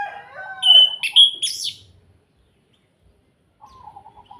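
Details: Orange-headed thrush in kretekan style, used as a lure to provoke other birds to sing: loud clear whistled notes jumping between high and low pitch, then a rapid chattering burst, followed by silence and a soft low warble.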